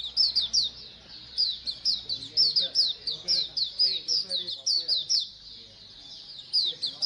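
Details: Oriental white-eyes singing as a colony, a recording used to encourage birds to sing: rapid, high, sweet twittering phrases in bursts roughly every half second, many voices overlapping in a lively, continuous chatter.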